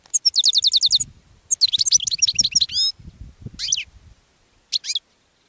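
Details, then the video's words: European goldfinch in a cage calls to wild companions on a thistle: quick high chattering trills and twittered phrases, then short isolated bursts, over faint low rumbling. "Caged Goldfinch CALLING to Goldfinches in a Thistle"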